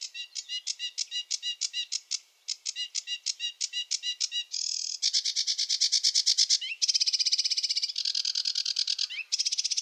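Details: Sedge warbler delivering its varied song: repeated chattering phrases, then a run of buzzy, fast trills at changing pitch, separated by rising slurred notes, in random order.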